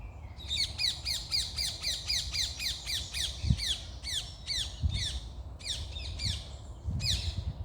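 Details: Several birds sing in the morning at once, pouring out quick, high, downslurred chirps several times a second, over a steady low rumble like wind or distant traffic.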